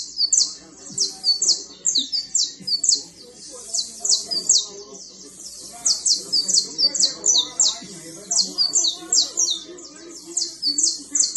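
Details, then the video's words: Canary, fine creole type, trilling steadily: an extended stream of very high, sharply descending chirps in rapid rhythmic clusters, with a faint low murmur in the background. "Canario fino trinando"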